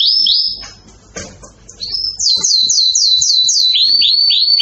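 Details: Excited canary song: opening high notes, a brief quieter pause with faint low rustling, then a run of rapid downslurred whistled notes about four per second, ending in rolling upswept notes.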